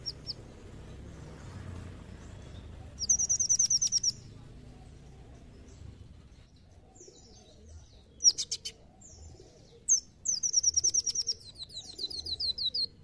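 Brown-throated sunbird giving bursts of high, rapid, sharp chirping trills, each lasting about a second, with short separate notes between them.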